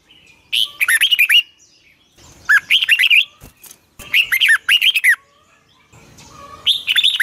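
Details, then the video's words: Red-whiskered bulbul singing in the morning for training: repeated bursts of loud, lilting whistled notes, about one second long, separated by short pauses. "Luyện chào mào hót sáng 2020, Giọng kép xoắn dài Quá hay"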